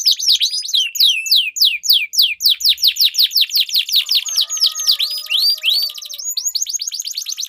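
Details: Competition canaries singing in a duel, used as a lure to train birds that stop singing: fast repeated descending whistled notes in a long continuous roll, with buzzy trills and a softer low whistled line appearing midway.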